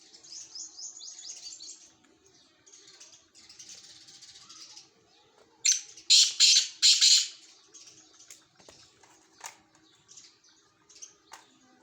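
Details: Black francolin giving its loud grating call, four harsh rasping syllables in quick succession, preceded by soft high twittering from small birds and followed by scattered faint clicks.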